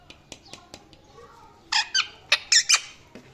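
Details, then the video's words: After soft ticking clicks and a faint low warble, a parrot lets out a series of harsh, broadband squawk bursts in quick succession. "Funny Parrot Calling And Chirping Sounds"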